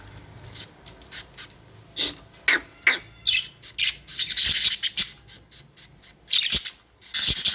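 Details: Pet budgerigars chirp in a busy stream of brief, high, buzzy notes that build into dense, noisy chatter toward the end, with short breaks between bursts.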